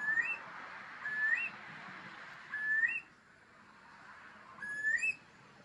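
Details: Wild Eurasian curlews in the Deggendorf district of Lower Bavaria, Germany, endangered on the Bavarian Red List. Four clear whistled calls, each a flat note ending in an upward flick, given roughly once a second, over faint background hiss.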